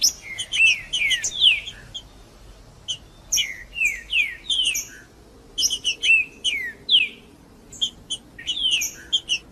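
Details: Singing male green-winged saltator, 'macheando', meant to excite other saltators: repeated phrases of rich, descending whistled notes with bright high chip accents, three or four bursts separated by short silences.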